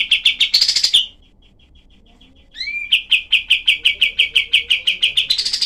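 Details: Kapas tembak, the cream-vented bulbul, in rough shot-like song for tutoring songbirds: a fast series ending in a buzzy flourish, a soft fading trail, a quiet gap, an upslurred whistle, then about fifteen sharp rapid repeated notes.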